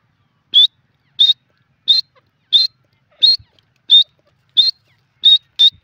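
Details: Grey francolin from India, the teetar, repeating a loud, strident high note nine times, about once every 0.65 seconds, in a steady series with little background noise.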